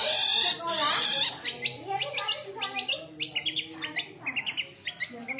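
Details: Kept long-tailed shrike from Indonesia bursting into song as a guest or passer-by appears: a loud harsh scratchy rasp, then a quick run of short, sharp, high chirps, several per second, with faint low murmuring underneath.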